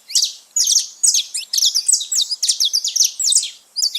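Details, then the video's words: Free-living saffron finch (canário-da-terra) in nature, giving quick bursts of high, clear chirps and slurred notes, grouped in phrases about half a second long separated by short gaps. "festa dos canário da terra livre na natureza"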